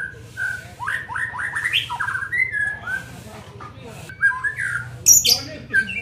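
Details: Young shama undergoing training sings mid-pitched whistled slurs in quick ascending steps, then a pause, followed by sharper high chips and a few warbled notes, over a low hum.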